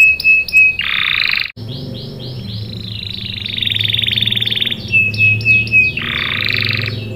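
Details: Caged canary, a lure recording meant to make other canaries answer and sing long rolls: a bright whistled note near one pitch, broad buzzy trills, a run of rapid repeated chirps, then another long buzzy roll, over a low steady hum.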